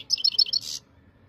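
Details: Short burst of European goldfinch song, Jijel, Algeria: a few quick high tinkling chirps ending in a brief buzzy rasp, followed by near silence with a soft low hum.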